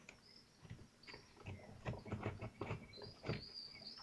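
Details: At a common kestrel nest in Théding, France, on 25 June 2023, prey is tugged during feeding; heavy scrabbling and tapping dominate, with thin high whistles rising near the end.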